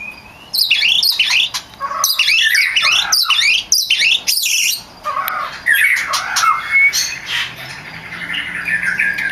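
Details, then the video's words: Champion oriental magpie-robin (kacer) in full gacor song, used for training other kept songbirds: dense, varied run of loud whistled and chattering phrases, fast rising and falling notes with squeaky high bursts and brief pauses. "Suara burung kacer gacor juara"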